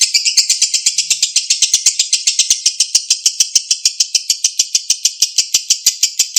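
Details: Lovebird delivering extended ngekek chatter meant to prompt silent birds to answer and sing; dense, high, rasping notes repeated quickly and evenly, slightly more blurred at the start, then crisp pulses to the end.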